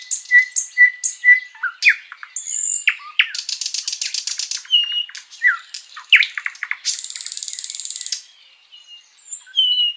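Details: Sikatan londo flycatcher master song, sung long and lively to tutor other birds: varied chirps and whistles broken by two long buzzy rattles and quick repeated notes.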